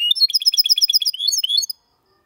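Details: A hybrid goldfinch and canary sings a short burst of its clean copiaMalaga song, recorded in 2022. Quick bright chirps turn into a few slurred whistles, followed by silence.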